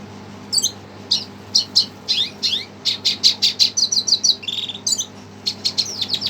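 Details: Red siskin singing in excited reaction to a played recording: a fast, high-pitched series of clipped chirps and downslurred twitters, then a thin trill, over quiet background hum.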